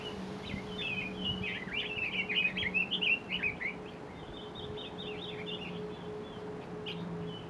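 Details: Red-billed leiothrix, a specified invasive alien species, recorded at Mount Kanuki in Numazu, Shizuoka, Japan: a rapid warbling run of slurred, up-and-down notes in the middle of the clip, then quieter scattered chirps, with a steady low hum throughout.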